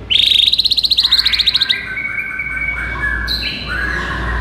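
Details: White-rumped shama song used as a tutoring recording to rouse a listless shama: a fast, even trill of high ticking notes for almost two seconds, then several clear, steady whistles held at different pitches.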